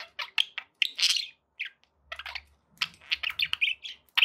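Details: Happy budgerigars with sharp tweets, squeaks and buzzy chatter in spaced bursts, a soft low hum behind.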